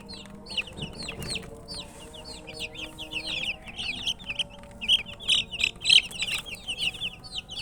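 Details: Chickens' chicks calling out from thirst for water: loud, clear high peeps, each a quick downward-sliding note, many chicks overlapping in a busy chorus that grows stronger toward the end.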